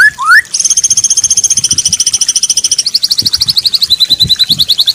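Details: White-rumped shama training song with fill-in phrases for daily and contest birds: two quick rising whistles, then a long dense high trill that steps down in pitch twice.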